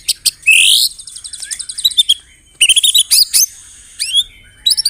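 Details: Singing white-rumped shama with canary and cililin fill: clicks, a loud rising buzzy sweep with fast trill, soft warbles, then bursts of sharp bright notes and hooked whistles.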